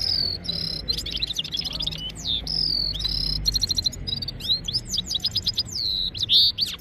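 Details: Red-fronted serin song recorded on an Oppo A76 phone, from a set of one bird against five: clear high whistled notes, sliding downward strokes and rapid buzzy trills, delivered in bursts with short gaps over a low background hum.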